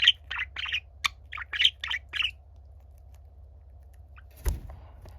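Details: Younger pet budgerigar singing while an older budgie listens: a quick series of about eight buzzy, chirping syllables, then quiet with a single thump near the end, low hum throughout.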